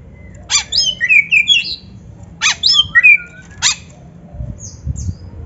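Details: Kacer, or Oriental magpie-robin, singing a training master song: three separate bursts, each opening with a sharp high click followed by bright rising and falling whistled notes. A fainter phrase ends the recording.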